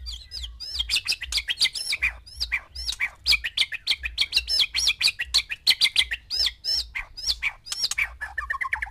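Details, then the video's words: White-rumped shama, one male kept with six females to stir their mating mood: a dense, rapid run of bright whistled and chipping notes, varied and high, delivered almost without pause, with a low steady hum beneath. "MANCING BIRAHI 6 MURAI BATU BETINA DENGAN 1 JANTAN"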